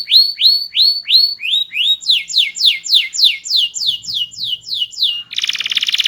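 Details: Canary with a small body but loud, melodious, varied song: repeated rising whistled notes, then a series of loud descending slurred notes about four per second, ending in a buzzy rapid trill.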